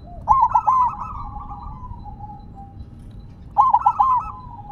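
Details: Silver zebra dove keeps calling while resting on the ground: two phrases of rapid bubbling coos about three seconds apart, each trailing into a soft fading trill.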